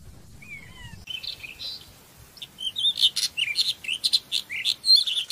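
A black wheatear gives quick, high, scratchy chirps and twittering phrases in rapid bursts that grow busier and louder, after a few thin faint whistles at the start.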